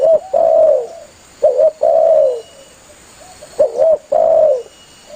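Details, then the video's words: Spotted dove calling its companions vigorously, used by hunters as a lure. Three loud phrases come about two seconds apart, each a short double coo followed by a longer, falling, hollow coo. "Suara burung tekukur Gacor memangil temannya"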